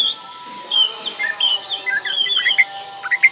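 Oriental magpie-robin singing a varied run of clear whistles, slurred notes and quick chirps, mostly high-pitched, with faint steady tones underneath.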